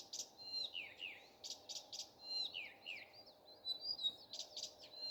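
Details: A common nightingale singing in the morning: a rich, varied phrase of sharp chips, falling whistled slurs and pure notes in quick succession over a faint low hum.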